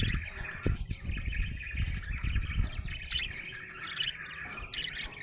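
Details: Happy budgerigar chattering in a steady, scratchy warble of quick chirps, with strong low rumbling noise underneath throughout.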